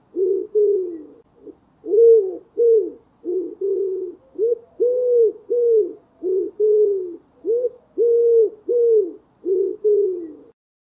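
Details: Rhythmic low cooing of a wild common wood pigeon, a forest bird: hoarse, rounded hoots in a repeating pattern of long and short notes, about eleven seconds of steady calling with nothing else audible.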